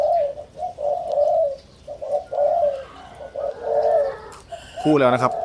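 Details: Young 'sai din' hybrid Spotted Doves, first clutch, slightly over five months old and now excitedly beginning to sing, deliver deep, warm coo phrases at an irregular pace; a man's voice breaks in near the end.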